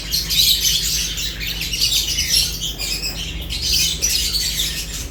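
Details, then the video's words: Lovebirds chirping while eating: a dense, continuous high chatter of overlapping shrill chirps and squeaks, with a steady low electrical hum underneath. "Lovebirds unique colors eating and chirps sounds"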